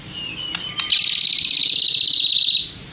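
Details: White-rumped shama sound used to goad other shamas into responding: a thin whistle and two clicks, then a long, fast, even buzzing trill that slowly fades.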